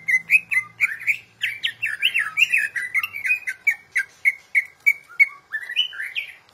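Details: Tutoring recording of a national champion greater green leafbird: a steady string of bright whistled chirps and slurred upward and downward notes, each about a third of a second apart, with a faint low hum early on.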